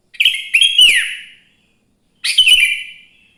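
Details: Sooty-headed bulbul singing in the morning, a lure to prompt other bulbuls to sing: two bright, bubbly chirping phrases about two seconds apart, each ending in a sliding downward slur.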